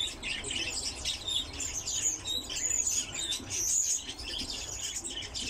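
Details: A captive lesser short-toed lark sings in high, twittering phrases of quick chirps and thin whistled notes, tumbling on without pause over faint background hiss.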